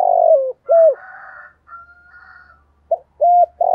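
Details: Spotted dove in "giọng thổ" song style. A long falling coo and a round hoot are followed by soft, buzzy murmurs, then a short note, a sustained coo and a final coo starting.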